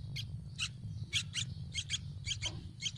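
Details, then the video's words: Hungry Yellow-vented bulbul nestlings begging for food in a nest on a tree: high, squeaky chirps in quick pairs, repeated roughly every half second over a steady low rumble. "trucuk ngeloloh anak/Hungry baby birds of Yellow vented bulbul begging for food in a nest on a tree"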